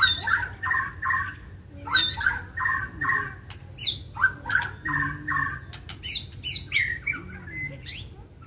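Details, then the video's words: White-rumped shama fighting, provoked into agitated, full singing: a loud phrase repeated in quick pairs of mid-pitched, rich notes, later broken by sharp high upswept whistles and clicks, with a low hum underneath. "MURAI BATU TARUNG || PANCINGAN MURAI BATU EMOSI IKUT GACOR DAN FIGHTER"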